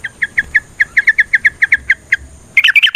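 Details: Yellow-vented bulbul in long rapid 'ropel' fighting-style song, used as a lure recording to set other bulbuls singing: a steady run of short bright notes repeated about six per second, ending in a burst of bubbly tumbling notes.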